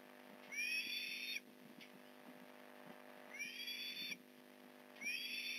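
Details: Osprey at the Port Lincoln nest as fish arrives, November 2019 morning: three long, high, rising squeals spaced roughly two seconds apart, with soft clicking and tapping in the background.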